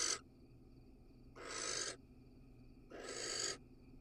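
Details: Inside an Israeli nest box where a male barn owl is casting a pellet, the tail of one hiss is followed by two long, harsh, noisy screeches about 1.5 seconds apart over quiet hum.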